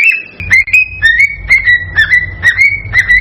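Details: Male cockatiel's excited whistled song aimed at stimulating a female to breed; short, clear whistles held level, repeated about twice a second, with a soft low hum.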